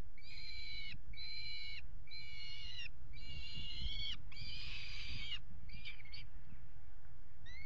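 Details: Water tower nest box, 5 February 2018, peregrine falcons pairing on the ledge: a steady series of strained, harmonic wailing notes about once a second, ending with short broken calls.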